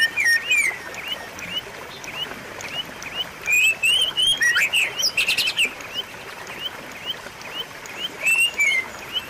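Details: White-rumped shama song used to prompt a silent bird to sing again: rapid series of short upslurred whistles, some loud clear phrases and fast trills in the middle, delivered about three per second.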